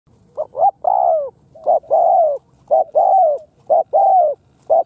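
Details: Spotted dove (Spilopelia chinensis), Khmer bird, giving soft, low hooting coos in repeated phrases: a short note then a longer, slightly falling coo, about once a second; otherwise quiet.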